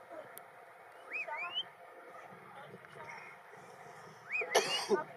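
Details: Tristram's starling (Onychognathus tristramii), call.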